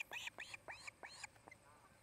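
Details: Osprey at a nest in Charlo, Montana, on 8 August 2018 via nest camera; arched, slurred chirps rising then falling, five in quick succession then fading, with a faint hum behind.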